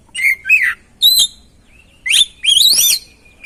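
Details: Kacer, the oriental magpie-robin, singing a lure song meant to spur a quiet bird into song. Clear rich whistles and slurred rising notes come in short phrases, ending on a long thin whistle.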